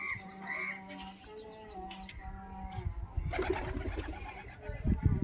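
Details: Pigeons cooing in a series of low, steady humming coos over the first three seconds, followed by loud rustling and scraping noise.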